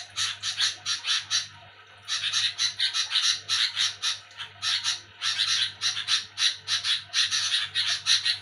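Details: Sooty-headed bulbul chattering noisily at night: harsh, raspy bursts repeated two to three times a second in fast runs, with a short pause near the middle, over a steady low electrical hum.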